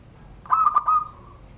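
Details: Kept zebra dove from Banten, Indonesia, singing the rare SURUNG GDOR coo style. One phrase of three clipped, throaty notes runs into a smooth, sustained hooting tone that fades out.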